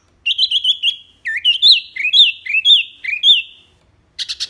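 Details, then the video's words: Wambi mini singing actively, loud and clear, with many varied phrases, used as a master recording for tutoring songbirds; bright whistled notes rising and falling, given in quick rippling bursts, then a short pause and a fast buzzy series. "BURUNG WAMBI MINI GACOR SUARA BANYAK LANTANG JERNIH FULL ISTIMEWAH"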